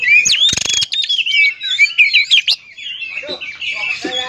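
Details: Oriental magpie-robin lure song, meant to provoke other magpie-robins into singing: a rapid run of varied clear whistles and slurred notes, rising and falling, broken early by a brief loud rustling burst.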